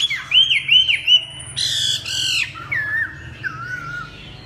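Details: Chinese hwamei mixing sweet looping whistles with two loud, harsh rasping bursts, then softer low slurred notes, as part of its warbling song.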